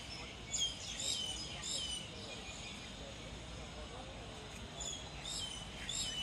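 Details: A black-collared starling, singing while feeding, gives two short bouts of high, squeaky whistles and chirps, one near the start and one near the end, over steady background hiss.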